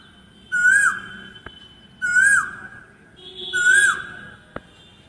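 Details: Asian koel singing: three clear whistled two-part notes, each rising then sliding down, repeated about every one and a half seconds at an even pitch. A faint high hiss accompanies each note, and two sharp clicks are heard between them.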